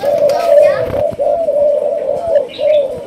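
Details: A three-month-old young Malaysian spotted dove gives a low, soft, drawn-out coo that wavers gently in pitch, with faint higher chirps near the end.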